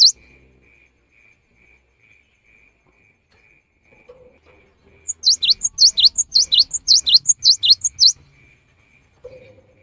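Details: Lively cinereous tit song for luring birds during the rainy season: mostly quiet with a faint high hum, then a three-second burst of high, sharp, repeated two-note phrases, followed by a short low note.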